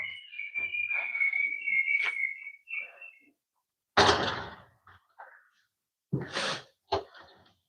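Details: Pet parrot singing at home during a live stream: a sustained, slightly wavering high whistle for about two and a half seconds, a short whistled ending, then several breathy, hissing bursts and a sharp click.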